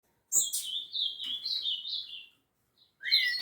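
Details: Rufous-bellied thrush song recorded at Piedade: a run of bright whistled phrases sliding and wavering, then a short pause before another rising whistled note begins.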